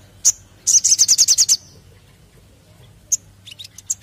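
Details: Crested jay lure recording: sharp high single chirps, then a quick rattling run of about ten bright notes, a pause, and more spaced chirps with a short closing burst.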